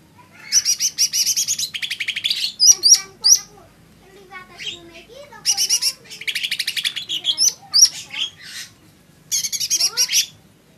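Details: Lesser green leafbird song in three dense bursts of fast, harsh chattering notes, separated by sharp rising whistles and softer twittering phrases in the pauses between them.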